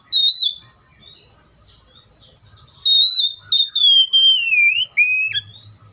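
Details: Singing Oriental magpie-robin: a short opening whistle, a pause, then a long run of clear whistles that wander and dip downward and end in a few rising notes.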